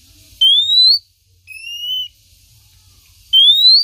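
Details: Female Oriental magpie-robin calling to her male, used as a lure sound: clear rising whistles, each about half a second long, three in a row with gaps of about a second, in a quiet background.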